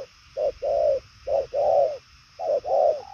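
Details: A spotted dove, described as a purple-legged bird that coos very well, gives low mellow coos: a quick short note followed by a drawn-out rounded coo, repeated three times in succession.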